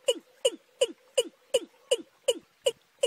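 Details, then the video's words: In March, young and wild watercocks call together: a very regular run of nine short, hollow, down-slurred knocks, about three per second, over a quiet background. "cúm núm gà tơ kẹp với cúm núm gà đồng tháng 3"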